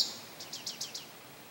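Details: Male Indigo Bunting song at St. Johns Conservation, May 25, 2022: a quick run of five high, sweet notes, each slurring downward, spaced about seven a second, over a quiet background.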